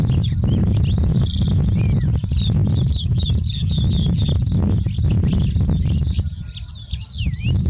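Sykes's lark sings a quick, varied run of high chirps, twitters and down-slurred whistles over a heavy low rumble of wind.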